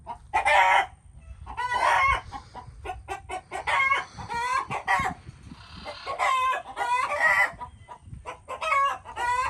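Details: Chickens clucking and squawking in a lively mix, notes rising and falling in pitch, with a burst of soft noise midway and low rumble in the background.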